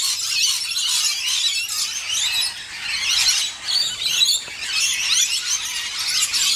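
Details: At least eight scaly-breasted lorikeets bathe at a garden birdbath in South East Queensland during a dry spell, giving a steady stream of shrill, high, overlapping screeching chatter with barely a pause.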